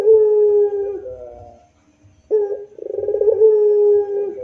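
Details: Deep, drawn-out coo of a puter pelung barbary dove ending with a slight dip, a near-silent gap, then a fresh phrase of a sharp note, a quick vibrating roll and another long level hoot.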